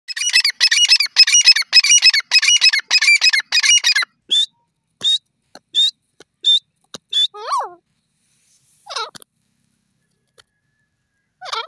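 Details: Grey francolin (desi teetar) calling: about four seconds of rapid, harsh, high-pitched notes repeated in quick bursts, then scattered short squeaky notes and a few lower, downward-curving calls separated by silent gaps.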